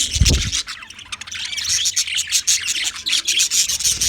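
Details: English budgies recorded February 14, 2024, in loud, close, gritty high chatter with rasping chirps throughout, and a low thump at the very start.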